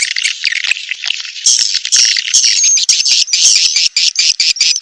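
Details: Edible-nest swiftlet mating call used to attract swiftlets to a nest house: a dense, continuous mass of high buzzy twittering chirps, many overlapping, with brief dropouts in the final second.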